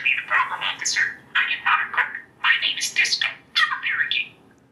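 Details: A pet budgerigar raised with humans for about four years, with a vocabulary of up to about 400 words, chatters imitated human speech in rapid, scratchy bursts. It gives four quick phrases in under five seconds, high and buzzy with squeaky whistled edges.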